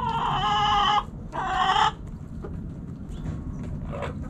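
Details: Backyard chickens, hens and roosters together: two loud, harmonic, drawn-out calls of about a second and half a second, separated by a short gap, followed by quiet scratching and faint clucks over a low rumbling background.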